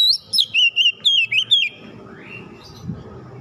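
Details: Oriental magpie-robin song played as a lure for other birds to sing: a string of loud looping whistles, about six phrases in quick succession, followed by low background rumble.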